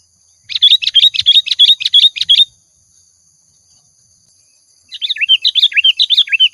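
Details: Sooty-headed bulbul lure song in full voice: a fast run of about a dozen evenly repeated sharp chirps over two seconds, then, after a pause, a jumbled, slurred, chattering phrase.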